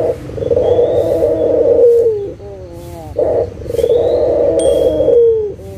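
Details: Local Barbary dove cooing as a lure recording meant to make silent doves call again: a short low note followed by a long rolling coo that ends in a downward slur, given twice. Faint thin whistles sound in the background.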